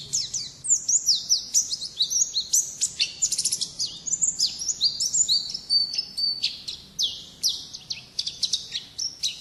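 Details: Oriental white-eye (pleci ngalas) giving its wild-type song: an unbroken stream of very high, rapid chirps, downslurred notes and twittering trills, energetic and crowded, with no pauses and only a faint low background hum.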